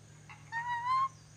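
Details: Ornate lorikeet from Sulawesi, Indonesia, learning to whistle: one clear whistled note about half a second long, rising gently and held steady, after a short soft chirp, with a man's voice repeating a word nearby and faint steady hum.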